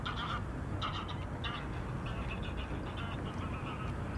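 Greylag goose giving harsh, nasal honks, several strong ones in the first two seconds, then fainter repeats, over a steady low rumble of wind or traffic.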